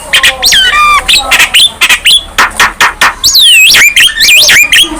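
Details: Young Javan myna in energetic song: a rattle of repeated notes, harsh squawks in a regular series, then loud swooping whistles rising and falling.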